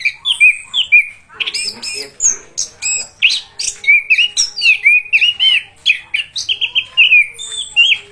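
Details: Rolling 'gacor ngeroll' singing by an orange-headed thrush: a dense chain of clear, down-slurred whistles and chattering phrases at a steady mid-high pitch, broken by quick buzzy flourishes, delivered almost without breaks.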